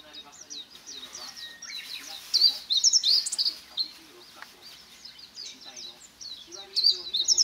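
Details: A bird suggested to be a blue rock thrush, singing opposite a hotel room on a hill overlooking the sea in Kamogawa, Chiba, Japan, on 18 July 2021, gives bright, slurred high phrases in short bursts amid busy chatter of other small birds.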